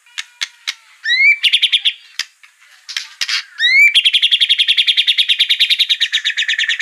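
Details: White-rumped shama song used to provoke a bird into singing: sharp chips and rising whistles lead into short trills, then a long rapid rattle of even repeated notes.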